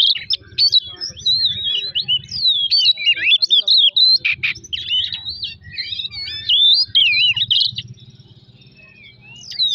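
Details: Provoking lure song of an Oriental magpie-robin: an energetic jumble of sharp whistles, zigzag notes and rapid chatter, with a low background hum. The song fades toward the end.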